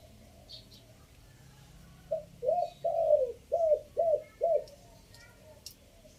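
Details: Spotted dove, Chiang Mai, Thailand, decoy singing in the three-note 'kuk' style, fifth phrase. Two quiet seconds, then six hollow coos in quick succession. The early notes are longer and gently falling.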